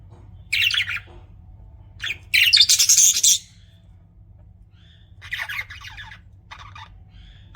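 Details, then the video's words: Pet budgerigars chirp in rapid scratchy bursts, the loudest a dense buzzy chatter around two and a half to three and a half seconds, followed by softer broken twittering and faint hum. "BUDGIES CHIRPING SOUND"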